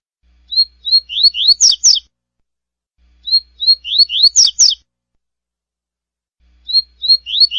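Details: Classic tui-tui song of a double-collared seedeater, three repetitions of the same short phrase: whistled opening notes, a run of rising slurs, then rasping downward notes at the end, spaced by about two seconds of silence.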